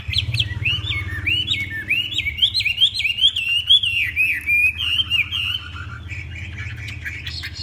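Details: Chinese hwamei, tame, sings a long series of upward-sweeping whistled notes in steady succession, fading into softer phrases, over a low background hum.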